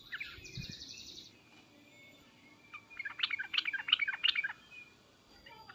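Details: Yellow-vented bulbul giving agitated, loud 'cukcuk' calls: a brief cluster of sharp chirpy notes in the second half, after a faint buzzy start, over steady low background hiss.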